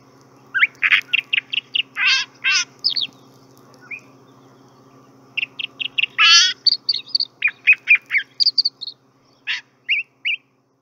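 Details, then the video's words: Chalk-browed mockingbird (Mimus saturninus), South America, singing a varied run of bright, chirpy phrases and harsh bursts, grouped into two long bouts with a faint steady hum underneath. "EL CANTO DE LA AVES"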